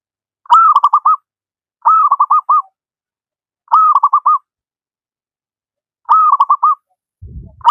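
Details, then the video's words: Local wild zebra dove singing keenly, used as a master recording to train lazy doves to sing: four clear coo phrases, each a long note broken into quick stuttered beats, with a low rumble at the end. "Burung perkutut lokal alam gacor, cocok buat masteran perkutut yang malas berbunyi"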